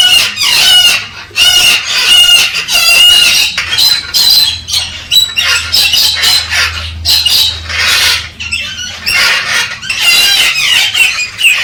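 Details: Courting Galah stimulating its female: repeated rough squawks and screeches in irregular bursts over about twelve seconds, some notes wavering, a steady low hum in the background.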